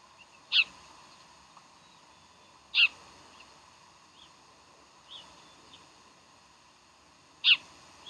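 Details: Decorah bald eagle calling on 15 January 2012: three loud, piercing, high chirps about two to five seconds apart, with softer short notes between them and a constant mechanical hum underneath.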